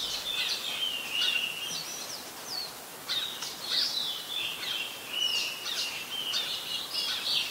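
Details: Adult Red-whiskered Bulbul song from Ubon Ratchathani, Thailand, in mid-December 2020: lively, warbled whistles with sliding notes and sharp chirps in bursts, a short lull after two seconds, then more overlapping phrases.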